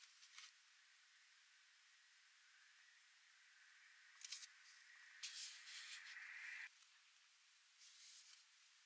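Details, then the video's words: Black-billed magpies quarrelling at a deer carcass by Flaming Gorge Reservoir, Wyoming, 6 September 2020: harsh grating bursts, a longer rough outburst lasting over a second, then a fainter call, over a steady hiss and a thin tonal hum. "BLACK-BILLED MAGPIES squabbling over deer carcass"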